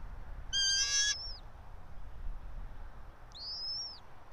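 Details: Nesting bald eagles, a local pair in a pine about 90 feet above ground, Johnson City, Tennessee, 06:28 on 04.03.2024; a loud buzzy harmonic squeal lasting half a second, then a single thinner high slurred whistle.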